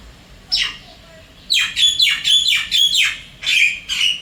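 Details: Wild Javan myna visiting an apartment in Singapore, calling its mate: one harsh descending note, then a run of six loud grating, squawky notes with whistled overtones, roughly two per second, over quiet indoor hum.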